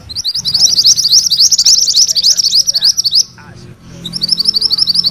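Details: Energetic rolling song from a yellow mantenan, used as training material for magpie-robins: a dense high trill of quick repeated notes for three seconds, a brief pause, then the roll resumes.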